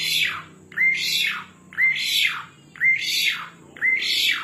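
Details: Asian pied starling in full voice, giving five loud phrases about a second apart. Each begins with a thin whistle that leads into a broad, grating, squawk-like burst. A quiet indoor hum lies beneath.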